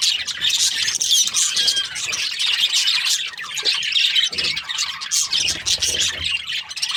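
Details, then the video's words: Australian budgies chirping together, a dense, continuous high chatter of overlapping squeaks, trills and warbles with no pauses, many birds calling at once. "Australian budgies chirping sound"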